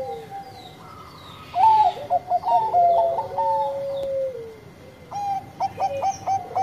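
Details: Bangkok zebra dove in full, sweet-voiced song: a soft opening coo, then a busy burst of choppy stepped notes over a sustained lower tone that sags downward, followed by a rhythmic series of short clipped coos.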